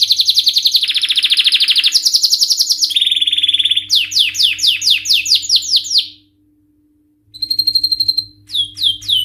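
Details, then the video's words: Excited male canary in full song, starting with loud rapid high trills that shift pitch, then a run of quick downward-sweeping chirps, a brief silence, and a short trill with more sweeping notes; faint low hum throughout. "تغريد روعة سيجعل ذكر الكناري في قمة الهيجان⚡لن يصمت طائرك عن الغناء بعد اليوم🔥Canary singing"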